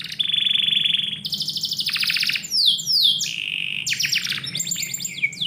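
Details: Morning canary song inside a house: a steady rolling trill, a higher buzzy trill, several falling slurred whistles, then sharp chipping notes and more rapid high phrases.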